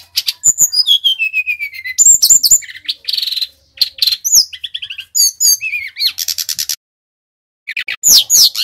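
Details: Bali brown-chested jungle flycatcher song used as a lure to prompt singing: varied high whistles, a long descending whistled slur, buzzy trills and rapid chirping phrases, with a brief pause near the end.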